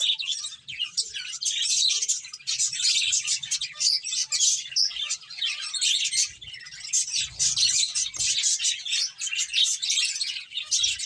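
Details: A group of finches at play keeps up a busy, unbroken chorus of thin, high chirps and tweets, many overlapping voices.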